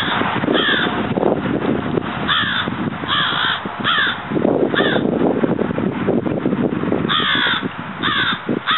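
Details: Florida crow, the American crow subspecies Corvus brachyrhynchos pascuus, giving harsh, hoarse caws in short clusters across the recording over a constant loud rustling, crackling background noise.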